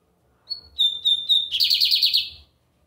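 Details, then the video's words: Lined seedeater (bigodinho) singing a lot on a Sunday in Brazil: a brief whistled lead-in, three pure steady whistles, then a fast buzzy trill of about ten rapid pulsed notes, loud and clean. "Bigodinho Americano cantando muito na domingueira!"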